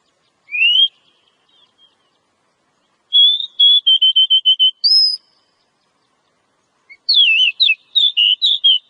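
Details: Wild Oriental magpie-robin in ngobra style: a rising whistle, then a fast train of repeated even notes topped by a high whistle, then a tumbling run of varied slurred notes.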